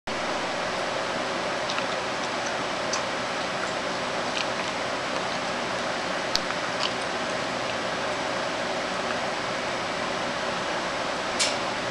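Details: Steady hissing broadband noise like a fan or rushing water, with only a few faint clicks and no animal voice.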